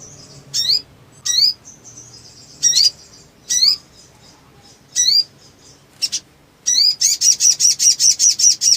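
Black sunbird giving sharp, very high, upslurred chips about once a second, ending in a fast, bright, steady trill.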